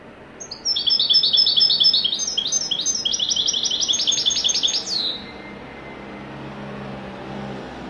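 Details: Wedani-style song of a European goldfinch: a long, fast, liquid twittering of repeated high jingling notes for about four seconds, ending in a sharp descending buzz, then quiet with faint background hum.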